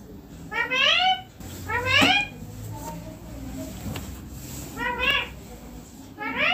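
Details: Pet green Indian ringneck parakeet, flying and perching on a neem tree, giving harsh, rising, rasping screeches in short bursts roughly once a second, with quiet pauses and faint background noise.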